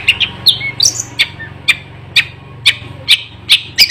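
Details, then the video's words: Long-tailed shrike singing continuously in a fierce style: scattered sharp chirps and short squeaky notes, spaced roughly every half second, over a steady low hum. "CENDET MAHARAJA SUPER BERKELAS KICAUAN GANAS TANPA PUTUS"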